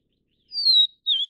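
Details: Vivid niltava of the Taiwan-endemic subspecies Niltava vivida vivida, at the nest feeding chicks in mountain broadleaf forest; two clear high whistled notes, the first long and slightly falling, the second shorter and wavering, in silence.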